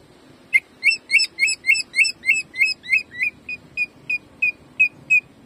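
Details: Caged greater green leafbird used as training song, performing the rapid repeated 'jamtrok' shooting song: a fast series of loud whistled notes near the same pitch, about three per second, sharp and clipped, with faint room hum.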